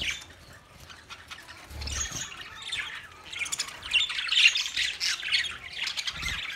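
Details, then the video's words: Budgerigars recorded 13 March 2024 begin with soft, scattered twittering, then swell into loud, excited chattering full of shrill chirps and harsh squawks, with faint low thumps in the background. "Beautiful Australian Parrot sounds Budgie Sound"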